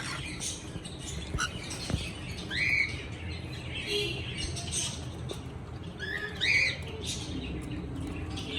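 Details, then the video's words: Cockatiel singing and chirping, with two clear rising whistled chirps several seconds apart over a steady background hiss and faint low rumble. "Cocktail singing and chirping sounds // Beautiful cocktail sounds"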